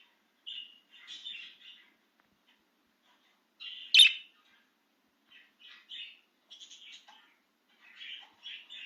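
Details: Budgie out of its cage in an excited mood, uttering scattered short chirps and chattering notes with pauses, plus one loud sharp click near the middle.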